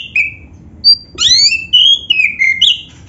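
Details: Caged black-breasted oriental magpie-robin singing to prompt other magpie-robins: a short whistle, a brief pause, then a burst of high rising and falling whistled notes and slurs mixed with sharp chirps.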